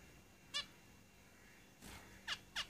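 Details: In a cage, zebra finches give a single nasal beep, then a quick cluster of three more toward the end.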